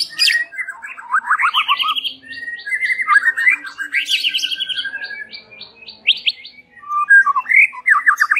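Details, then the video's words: White-rumped shama lure song for the evening, a rich varied run of whistled slurs, rising and falling phrases and rapid repeated high notes, with bursts of harsh chatter, filling the whole stretch with brief pauses. "Langsung NYAUT NGEPLONG dengan Suara PEMIKAT SORE PETANG MURAI Batu ini"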